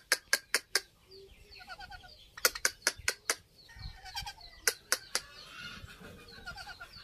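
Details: Ringneck parrots during mating behaviour: bursts of four sharp, rapid clicks repeat every second or two over soft, stuttering, nasal chatter. A brief rising whistle is audible in the background.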